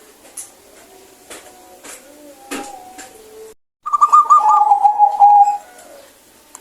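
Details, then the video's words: Zebra dove, a local bird, singing clearly: after a quieter opening with faint tones, a loud burst of rapid stuttering coos falls from higher to lower pitch over about two seconds, then fades. "PERKUTUT LOKAL GACOR SUARA BENING"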